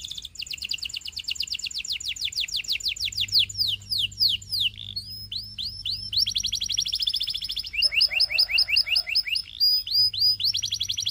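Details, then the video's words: Canary singing: rapid series of high, steeply falling whistled notes, then a fast rattling trill and varied slurred phrases, with a faint low steady hum underneath. "Your Canary Calls And Tempts All The Canaries to Sing"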